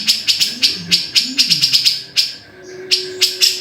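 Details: Black-throated bulbul song: rapid series of sharp, clicking chattery notes, mostly evenly spaced with a short pause, over a faint low hum.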